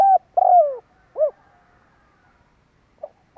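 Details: Part of a spotted dove coo phrase from a lure recording meant to excite decoy birds: a brief coo, a long sliding coo dropping in pitch, then a rounded coo. After a pause, a faint note and the start of another coo.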